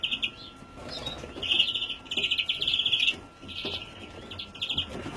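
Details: Young European greenfinch recorded in 2017, giving drawn-out wheezy, buzzing notes in bursts of about a second, separated by short pauses, over a thin constant electrical whine.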